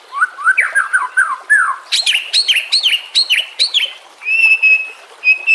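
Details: White-rumped shama song used as a training recording, set with nature and trickling water sounds: quick whistled phrases, then a run of sharp repeated chirps and a sustained high whistle.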